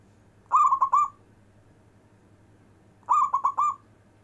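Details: Local zebra dove performing with long breath, a song for calling lazy zebra doves: two matching phrases about two and a half seconds apart, each a fast run of soft, hollow coo notes trailing off.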